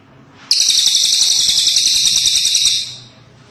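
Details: A cililin bird delivers a single long, shrill, rapidly pulsed trill, steady and high, lasting about two and a half seconds before tapering off.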